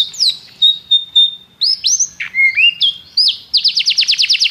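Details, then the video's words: Canary singing: sweeping whistled notes, a sustained high tone, then quick downslurred notes ending in a fast rhythmic trill of repeated descending chirps. "Seu canário cantou imediatamente depois de ouvir este canário"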